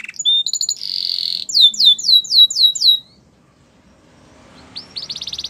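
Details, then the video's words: Canary song for training other canaries: short chips and a buzzy note, then six loud falling whistled slurs, a pause, and a quick trill starting up. "Your canary will sing a lot if he hears this | The best canary training"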